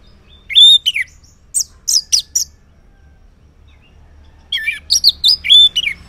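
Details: Orange-headed thrush singing loud 'ngeplong' style in the morning, used as a lure to make silent males answer: sharp whistled high phrases, a quick burst of four slurred notes, a pause, then a longer run of varied chirping notes.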